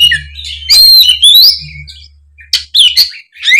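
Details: Oriental magpie-robin in loud song, used to stir a speckled bird out of its slump; buzzy rising whistles and rapid twittering, then a brief quiet before more sharp notes, against a steady low hum.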